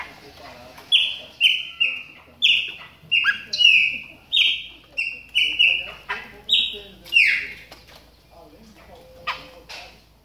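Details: Chopi blackbird, a caged bird warming up while in moult, giving a run of loud, clear whistled notes, many slightly falling, repeated about every half second with short pauses, then quieter after seven seconds.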